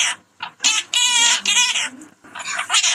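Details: Parrot vocalizing in a stretch of harsh, buzzy, speech-like squawks with strong harmonic bands, delivered in bursts separated by short pauses.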